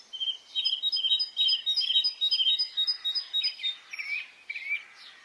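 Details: Breton spring morning chorus: a fast run of bright, paired high notes for the first few seconds, then looser descending twitters and warbles from several birds.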